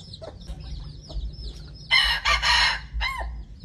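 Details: Red junglefowl crow from a decoy bird: a loud, broad, grating crow in two linked parts, then a brief hoarse tail note. Thin, high twittering from small birds and low rumbling run throughout.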